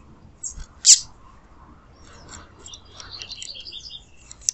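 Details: Female double-collared seedeater calling to warm up and stimulate a male: one loud, sharp high chip, then a run of thin, rapid twittering notes at a high pitch, with a quiet background.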